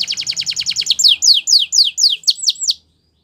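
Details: Timbrado canary giving fast repeated falling notes that slow into about seven louder sweeping whistled slurs before the song stops.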